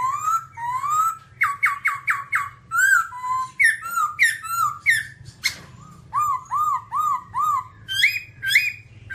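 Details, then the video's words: Long, varied babbler song with rapid repeated whistles, a quick series of identical notes, bouncing slurred phrases and sharp chirps, over a low steady hum. "birds Timaliidae singing"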